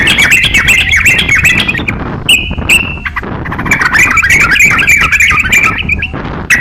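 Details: Master song of a crocok-cokan for teaching songbirds: a fast, jumbled twittering phrase, a short steady whistled note, then another long run of rapid, chattering, warbled notes.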